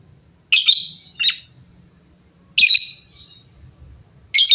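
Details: Lovebirds calling noisily in reply to each other. Harsh, scratchy screeches come in short bursts, one with a quick follow-up note, separated by pauses over a quiet low hum.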